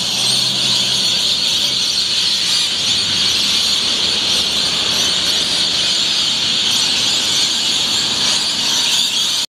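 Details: At dawn on 1 June 2013, thousands of rainbow lorikeets fill Yeppoon Main Beach with noise during acrobatic flights. A steady, harsh din of overlapping high-pitched shrieks carries on without a break, with faint low hum underneath.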